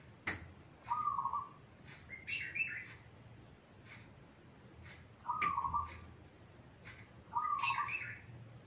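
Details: Zebra dove song serving as a training master for young doves: repeated rolling, trilled coos in short phrases every two to three seconds, with sharp clicks between them.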